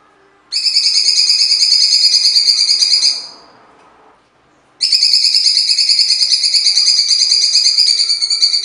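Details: A cucak cungkok in vocal form gives two long bursts of harsh, rapid, buzzy, high and steady chatter, separated by a short pause, over faint background hum. The sound is described as original coarse song with pauses, used as tutor material.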